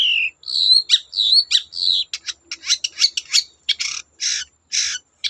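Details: Long-tailed shrike song meant to draw other shrikes into singing: slurred whistled phrases at the start, then a fast series of harsh, buzzy, scratchy notes repeated at uneven intervals.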